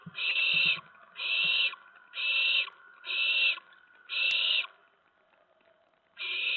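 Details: Nest of owlets at about 2 AM on September 10, 2017, as adults bring prey. Five raspy, hissing screeches repeat at a one-second pace, then a pause and one more, with soft rustling underneath.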